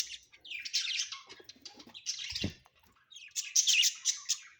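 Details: Home-kept budgies giving continuous scratchy warbling chatter in overlapping buzzy bursts, with a short thump in the middle.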